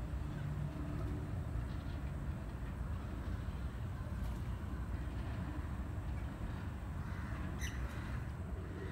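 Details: Deep continuous engine or boat rumble with wind, and no animal voice.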